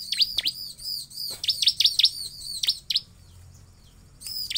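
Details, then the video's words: Ciblek song used as a lure to prompt other ciblek to sing: rapid series of high, sharp down-slurred notes in bursts, several per second, with brief pauses and a low hum beneath. "Suara Ciblek Paling MANJUR untuk pancingan ciblek agar bunyi"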